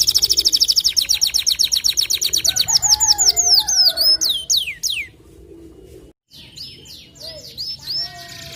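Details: White canary singing in a long-burst style: a fast, even trill of high chirps, then looping upward-swept whistled notes, a brief pause, and more high rising whistles.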